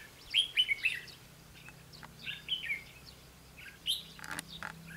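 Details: Red-whiskered bulbul singing as a decoy to challenge wild rivals, May 2016: quick warbled notes at the start, softer phrases after, then clicking rustles and a low hum near the end.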